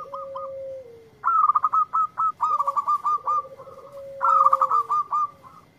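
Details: Zebra dove, local and in lively song, responding to a lure recording. Several close bursts of rapid, staccato coo notes run almost continuously over a sustained lower tone.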